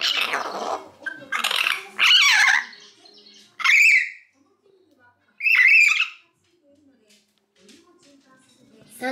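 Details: Pet common hill myna chick, three months old, sex undetermined, not yet talking: two sharp, rasping, strident squawks spaced well apart, following a few harsher noisy calls at the start, indoors.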